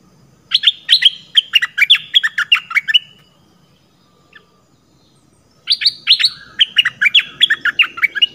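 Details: Red-whiskered bulbul from southern Thailand used as a lure. A long, lively string of sharp chirps and slurred notes lasts a few seconds, then stops for a short pause, then resumes at the same brisk pace.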